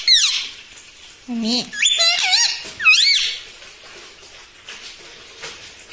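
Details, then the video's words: Pet parrot talking, said to say "mitthu mitthu" and "mummy"; a run of squeaky, wavering speech-like syllables in the first three seconds, some low and nasal, then near silence. "TALKING PARROT - MITTHU MITTHU - MUMMY BOLNE WALA TOTA"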